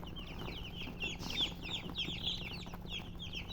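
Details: A crowd of chicks peeping, sharp high notes sliding downward, some louder calls standing out in the middle, over a low background hum.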